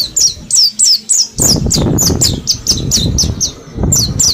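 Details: Mount Slamet mountain white-eyes kept together, training in ngalas forest song: fast evenly paced high chirps sliding downward, about three or four per second, over a rumbling noisy background.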